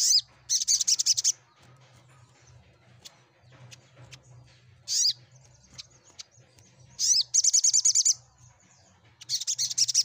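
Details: Sunbird song for drawing a response from silent birds: rapid buzzy trill bursts at the start, middle and end, separated by a lone sharp chirp and quiet gaps.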